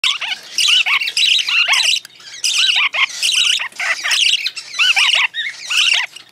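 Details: Young parakeets being hand-fed give harsh, raspy squawks in rapid bursts, one after another with barely a pause, high-pitched and insistent as they beg for food.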